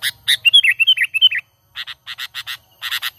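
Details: Sooty-headed bulbul natural calling for lure trapping: a fast run of bright, bubbly warbled notes after two harsh chips, then a pause and a series of repeated harsh, scratchy chak notes.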